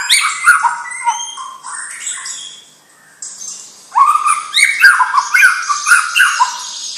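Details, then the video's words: White-rumped shama, a young bird of champion bloodline, singing a rich varied song of whistled and chattering phrases sliding between low and high notes, with a brief pause near the middle before a denser, louder burst of rapid notes. "Murai Batu Bibit Trah Juara"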